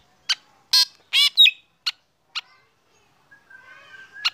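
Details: Black drongo in a cage during morning sunning: separate harsh buzzy bursts and sharp chirps with short pauses, then a soft level whistle from another bird before one final rasping note.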